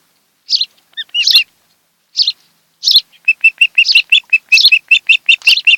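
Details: Ospreys calling at their Kent Island, Maryland nest on a July 2018 afternoon, captured by a nest camera. Scattered harsh chirps lead into a fast, steady series of clear, high whistled notes, about four per second.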